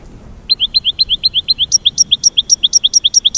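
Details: American goldfinch mating call, a rapid run of about twenty crisp, high twittering notes, the series stepping slightly higher halfway through and repeating evenly about four times a second.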